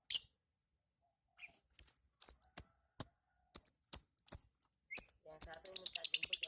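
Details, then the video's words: Lovebird in ngekek singing style, kept as a beginner's bird: scattered sharp, high chirps and clicks with short gaps, building into a fast run of rapid chattering notes at the end. "LOVE BIRD NGEKEK"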